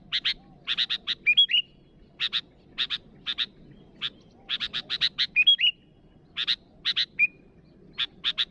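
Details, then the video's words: Rival-directed calling by a sooty-headed bulbul, mostly rapid clusters of harsh chattering notes with an occasional short whistled phrase, continuing steadily throughout. "Suara burung Kutilang Gacor memanggil lawan"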